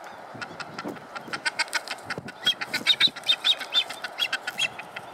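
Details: A Masked booby fledgling, able to fly but still fed by its parents, begs from a parent with harsh, wheezy calls, about two per second and unevenly spaced, growing louder and busier midway; Phillip Island, Norfolk Island, June 2017.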